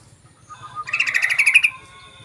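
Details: Yellow-vented bulbul used as a lure: a quick bubbling chatter of roughly a dozen rich notes, slightly rising then steady, lasting about a second, preceded by a faint low note.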